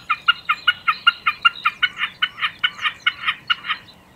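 A common snipe gives a rhythmic, hard-edged chipping song, about four notes a second, steady and slightly hoarse, over faint low background noise.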